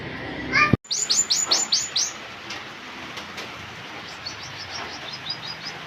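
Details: Citrine canary-flycatcher from West Sulawesi, used as a training tutor for competition birds: after a brief whistled note, a quick run of six high, downward-swept chirps, then fainter similar notes further off.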